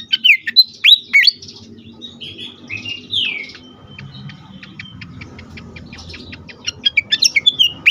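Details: Fantail in an agitated state, used as a lure and stimulus for birds: sharp swooping whistles, a pause with softer slurred notes, then rapid ticking chirps ending in more swoops.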